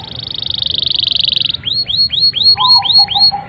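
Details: Canary giving long, vigorous 'gacor' song used as a trigger for young or non-singing canaries: a rapid buzzy trill about a second and a half long, then a series of repeated upswept whistled notes, with softer low warbling notes behind.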